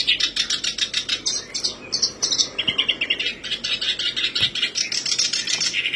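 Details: Lure recording of a black-browed reed warbler, meant to get birds singing quickly. A continuous, rapid, scratchy chatter of high, buzzy and squeaky notes fills the whole stretch, with short changes of phrase.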